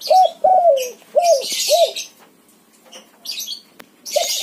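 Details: Spotted dove of a white form calling as a lure for silent doves: four loud, rounded coos in quick succession, a brief pause, then one more, with hissy rustling sounds between.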